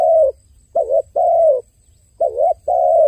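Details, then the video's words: Long smooth dove coos alternate with shorter dipping, wavering notes in a slow steady pattern, the long notes held for about half a second, heard up close with little background. "The sound of a dove crying សំឡេងសត្វលលកយំ"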